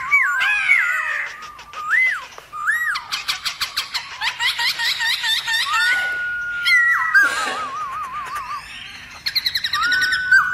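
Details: Black-throated laughingthrush in varied forest-voice singing, used to stir rival laughingthrushes: looping whistles give way to a fast run of rapid clicking, chattering notes, then a long level whistle, a quavering trill and a final quick burst.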